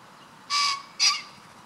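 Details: Male common pheasant during its wing-drumming display; two short harsh, loud bursts about half a second apart, broadband and rasping with a strong upper band, over faint background hiss.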